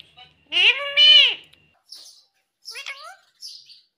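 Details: Pet talking parrot that says "mummy" and "papa" gives two loud, rich, voice-like syllables in quick succession, followed by fainter chirps and a short descending harmonic call.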